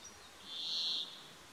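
A Brambling gives its song, a single drawn-out, harsh, buzzy wheeze lasting over half a second at a high, steady pitch, over faint background hiss.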